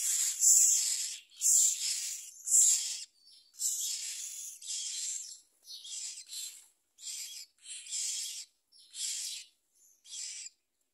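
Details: A myna chick being fed a large blue caterpillar by its parent begs with harsh, hissing rasps, about one each second, loud at first and then weakening and breaking up.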